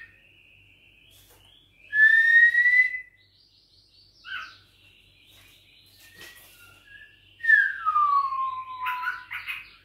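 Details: Six-week-old caged white-rumped shama of Bahorok descent, challenged by a rival: a clear rising whistle, a short note, then a long downslurred whistle followed by scratchy notes, with faint background noise.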